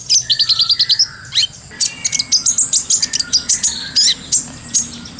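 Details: Brown-throated sunbird song used as a training lure: rapid high chirps and short whistled notes in quick runs, with fast trills and sharp bursts, steady and bright throughout.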